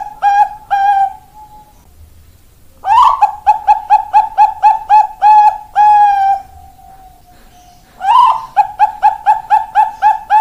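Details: Bangkok-type zebra dove, 4 March 2023, repeating its song phrase three times: each bout opens with a sharp accented note, then a fast train of short coos slowing into longer held notes, with silent gaps between.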